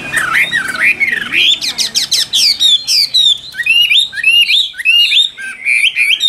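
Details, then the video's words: Chinese hwamei of the Tam Hoàng type, said to sing loud and methodically with a beak as fast as a sewing machine. It delivers rapid, slurred whistled phrases with quick rising and falling notes in dense bursts. A man speaks briefly afterwards. "Họa Mi Tam Hoàng Miệng Mỏ Như Máy Khâu, Điện Đóm Căng Hót Hét Bài Bản"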